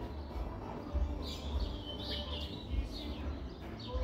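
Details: A brownish Ultramarine grosbeak sings short, sweet warbled phrases of clear rising and falling whistles, partly masked by a steady low rumble.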